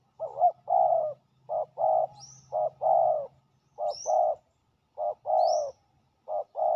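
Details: Territorial male spotted dove, described as a very aggressive territory holder, lured in with a ground decoy. It gives deep hoarse coos in short bursts of two or three notes with uneven gaps. Brief high chirps from another bird rise above it.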